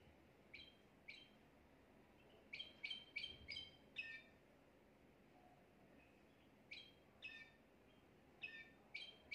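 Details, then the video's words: Caged Timbrado canary at home, a fault-free song meant for teaching young canaries: bright, short chirped notes in clusters of three or four, separated by quiet pauses, over faint steady hiss. "chant canari sans faute pour l'écolage des jeunes"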